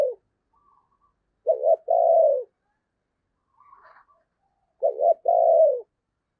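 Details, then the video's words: Spotted dove kept as a lure bird, calling for wild doves with two phrases of a brief wobbling double coo and a sustained coo, faint notes between. "Chim Cu Mồi Thúc Và Gáy Gọi/ Tiếng chim cu gáy kích bổi hiệu quả"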